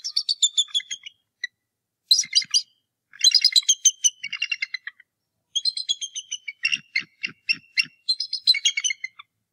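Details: Nesting bald eagles at Decorah North Nest, where the adult male meets an intruder that morning, 2 March 2018, after the first egg was laid. Long runs of squealing, stuttering high notes repeat in five or six bursts.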